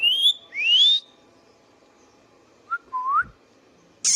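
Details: Indian ringneck parakeet kept as a pet, giving two clean rising whistles, then a short low note and a lower upslurred whistle, ending in a sharp high squawk; quiet room hum underneath.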